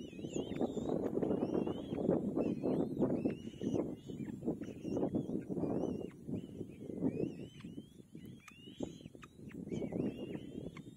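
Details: Young kite receiving food from its mother and struggling to swallow: repeated short, thin whistles, rising then falling, given roughly every second, over heavy low rustling and movement noise.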